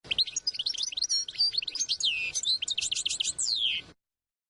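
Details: Rapid jangling warble of a European goldfinch, played to tutor young birds and prepare females, mixing bright chips, rolling trills and repeated rising-falling notes before a drawn-out descending slur; a thin constant hum in the background.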